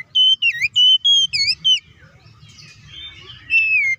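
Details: Oriental magpie-robin delivering a quick run of strong clear whistles, some dipping and forked, then a soft twittering pause and one more whistle, sung to incite other magpie-robins; faint low background noise.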